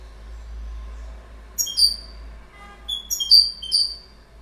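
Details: Goldfinch uttering sharp, high, chirping notes. After a silent start come a brief cluster, then a run of clipped, whistled chips repeated close together.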